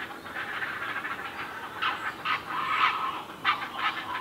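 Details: Great blue herons at feeding time give harsh, raspy squawks and a rattling chatter, with louder croaking bursts every second or so over a steady rough background.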